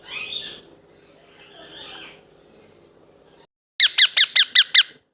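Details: Blue ringneck parrot baby indoors: soft muffled chattering at first, then a clear run of six sharp squeaky squawks in quick, even succession.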